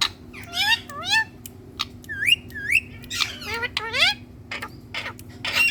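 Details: Indian green ringneck parrot talking while perched on a plant: quick bursts of bright, harmonic syllables that bend up and down, with chattering runs and short clicks between, mimicking speech over a low steady hum.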